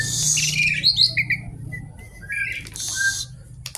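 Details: Javan pied starling singing energetically: raspy noisy bursts mixed with short clear whistles and warbled notes, ending in a harsh broad screech and a sharp click, over a low background hum.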